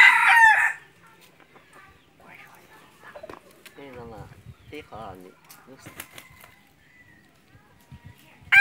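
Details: Decoy red junglefowl for hunting crows strongly at the start, a raspy burst under a second long, then people talk quietly before a fresh crow starts at the close.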